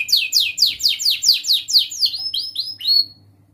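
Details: Lively young canary in full song, recorded to tutor juvenile canaries; a rapid run of about ten loud descending whistled sweeps, closing with several short rising-then-falling slurred notes.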